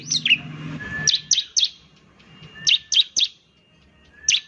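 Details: Semi-gacor singing of a bar-winged prinia, a style said to set other prinias calling: high, snappy downward-flicking notes in clusters of two or three, spaced by short gaps, with a faint low rumble at the start.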